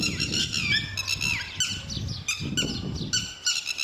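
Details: Lapwing protecting its young: urgent, rapid, scratchy calls repeated many times a second in several bursts, over low rumbling background noise.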